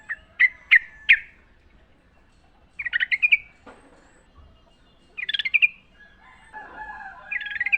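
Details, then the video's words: Wild sooty-headed bulbul, singing in its natural setting, used as a training recording for caged birds: short bubbly, chattering phrases of rapid notes repeated in bursts, with quiet gaps between and a faint lower tone near the end. "trucukan gacor ngalas full suara alam"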